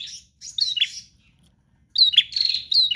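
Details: Nonstop-singing prinia in 'gacor' style: two high chirping bursts, buzzy and rapid, split by a second of silence.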